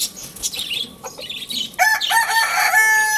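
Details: Crowing Lohmann Brown rooster in the morning at Lalukhet bird market: high chirps and chatter from small birds, then a loud, strongly harmonic drawn-out crow takes over for the final second and a half.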